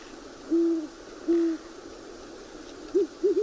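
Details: Two Great Horned Owls, probably a male and female pair, duet at night in the Ottawa area, Canada. One gives two long, deep, steady hoots, then the second, higher-pitched bird gives a quicker run of shorter hoots.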